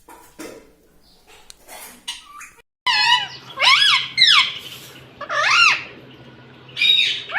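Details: Indoor pet ringneck parrot imitating speech: after scattered taps and a faint hum, a series of rasping, rising-falling word-like phrases spaced about a second apart.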